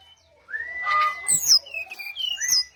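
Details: Brown-chested jungle flycatcher singing to lure other birds into responding: a long level whistle opens, followed by a tumble of sweet, sliding high notes and brief chirps.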